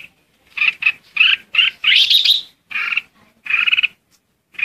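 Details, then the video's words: Red-whiskered bulbul serving as a decoy, singing to gather its flock, with a run of about eight loud, rhythmic chattering notes around one rising, slurred whistled phrase. "Chào mào hót gọi đàn | Tiếng chào mào mồi hót gọi đàn hay"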